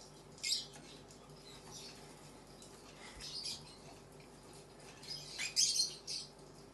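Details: A female and a male pet cockatiel argue, trading harsh, high screeches and scratchy chatter in bursts.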